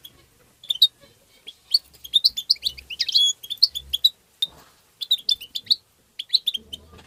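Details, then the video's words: European goldfinch tabtaba song, played to stimulate goldfinches: a fast, continuous chatter of bright twittering notes and quick rising chirps, with short gaps, then clustered runs of trills. "تغريد الحسون بتبتة مجنونة"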